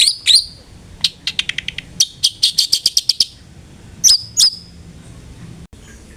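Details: Long-tailed shrike, used as a lure to get a kept bird singing: scratchy notes, then a rapid stutter of short clicks, a burst of quick chirps, and two final sharp calls.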